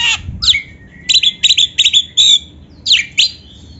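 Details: White-rumped shama song used as a master recording for kept birds: a rapid series of sharp downslurred chips and buzzy notes, roughly three per second, with a short whistled slide, over low background noise.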